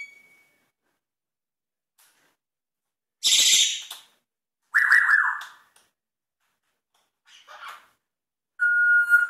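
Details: Indoor pet African grey parrot doing mimicked sound effects near a macaw: a brief faint tone, a harsh hissing burst, a buzzy mid-pitched rasp, a soft scratchy sound, then a steady pure whistled note.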